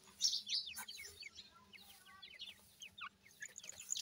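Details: Grey francolin chicks being reared, giving rapid high-pitched peeps, thin and downward-sliding, roughly three a second, fairly irregular, over a faint low hum.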